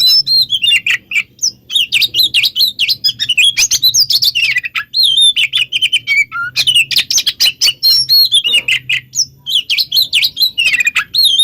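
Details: Oriental magpie-robin song, possibly mixed, played to lure other magpie-robins into answering: loud, fast, varied run of whistled and buzzy notes, sweeping up and down, with chattering bursts and a faint low hum.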